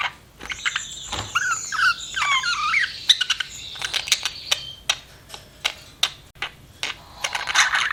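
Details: Pet budgerigar chirping: warbling, wavering chatter between about 1 and 6k in the first three seconds, then scattered short sharp clicks and ticks, with a brief buzzy burst near the end.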